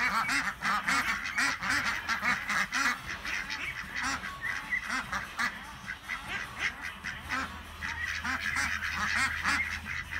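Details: A flock of 26 ducks out together on a farm in Chile, a whole lot of quacking: many overlapping harsh nasal quacks in rapid bursts, a laughing chatter rising and falling, with a low hum in the background.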